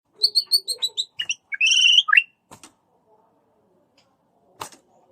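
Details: White-rumped shama singing a lure song meant to provoke other shamas, with the 'cess plengg' sound: a run of evenly spaced high chirps, then a buzzy sweeping phrase and rising notes, then near silence with a couple of faint clicks.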